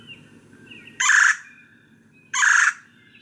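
Red-bellied Woodpecker giving two loud, rolling, slightly metallic churrs about a second and a half apart, with faint birdsong behind.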